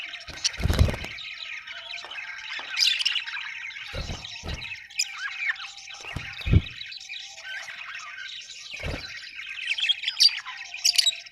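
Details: A group of budgerigars keeps up a busy warbling chatter of high chirps and squawks, broken by several dull low thumps, likely from knocks or movement.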